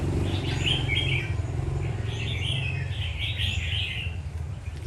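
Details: Red-whiskered bulbul giving lively chirping, warbled song phrases in clustered bursts, partly over a steady loud low rumble like a passing engine.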